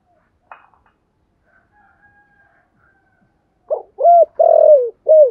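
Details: Spotted dove with a giọng thổ voice calling as a lure for wild doves: a faint click and near silence, then in the last second and a half a burst of low coos, short, long wavering, short.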